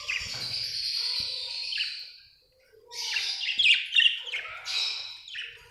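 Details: Happy Australian budgie chirping: a long buzzy warbling stream, a short pause, then quick excited chattering chirps that trail off.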